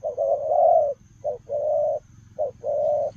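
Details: Spotted dove cooing in the 'lèo rồng' manner while running: a drawn-out opening coo, then two pairs of short note plus longer mellow coo, against a faint low rumble.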